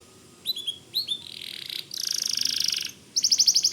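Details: White canary singing energetically, used as a tutor song for magpie robins: high, sliding whistled notes, then a long buzzy rattling trill and a quick series of sharp repeated chips.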